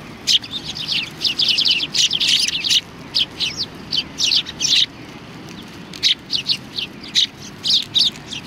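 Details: Sparrows coming for food at a Tenmangu shrine on 25 November 2020; busy bright chirps in quick clusters, then spaced single and paired tweets about every half second.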